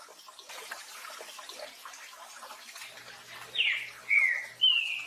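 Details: Rain falls steadily before a green-winged saltator, known locally as trinca-ferro, begins its "Tio João Pedro Boi" song with three loud whistled notes, the first falling and the next two level.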